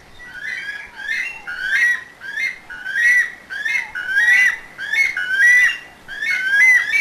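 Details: Weka, a flightless New Zealand bird, calling: a series of loud, shrill, upslurred whistles, roughly one every three quarters of a second, each rising sharply at the end, sustained in a steady repeated run.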